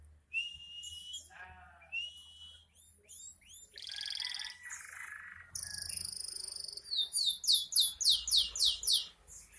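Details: Canary in breeding condition sings a varied song: whistled notes, a buzzy trill, harsh rolled segments, ending in a fast series of loud repeated rising chirps about four per second.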